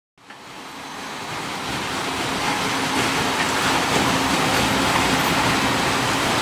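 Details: Broad rushing roar of passing vehicles or rail traffic builds up and holds steady, with no animal sounds.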